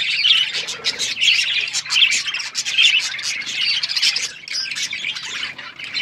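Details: Pet budgerigars squawk and chirp together, a few sharper whistled notes standing out early among rapid overlapping chatter, with a faint low hum.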